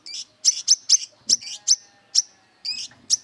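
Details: High, thin chipping from an aggressive brown-throated sunbird hunting for rivals: a string of sharp metallic notes with a few slurred, buzzier ones, spaced irregularly with short gaps between them.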